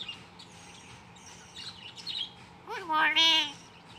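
A hill myna gives one loud, rich, nasal call that jumps up and then slides down, ending harsh and buzzy, after a few soft chirps.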